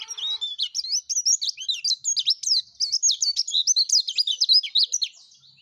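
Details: Yellow-breasted white-eye singing energetically, used as a lure for other white-eyes: a continuous fast stream of high, thin, twittering and warbling notes in quick bursts, clear and close with no other sounds.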